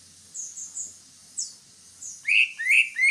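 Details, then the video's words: Greater green leafbird singing: a few faint, high thin notes, then from midway loud rising whistled slurs repeated in quick succession toward the end. "Suara burung Cucak Hijau"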